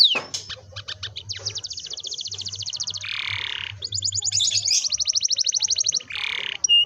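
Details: Canary in full rolling song, used as a lure for young canaries learning to sing: sharp clicks, then long rapid trills broken by a buzzy rasping burst, ending in another harsh burst and a clear note.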